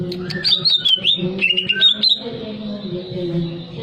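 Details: A greater green leafbird's arousal-stimulating song: a quick run of high whistled notes rising and falling, closing after two seconds and leaving a faint steady drone.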